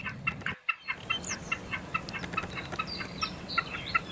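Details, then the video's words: A common snipe (Gallinago gallinago) singing, repeating a steady, clucking 'chip-per' note several times a second, with faint thin whistles from other birds against a steady hiss. "田鷸(扇尾沙錐)/Common Snipe(Gallinago gallinago)singing"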